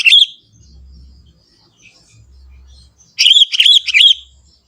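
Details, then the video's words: Sooty-headed Bulbul, a lively young forest bird, sings a single bubbly note, then after a pause with low rumbling in the background, a fast burst of four or five gurgling notes. "suara kutilang muda hutan gacor suara asli tanpa isian"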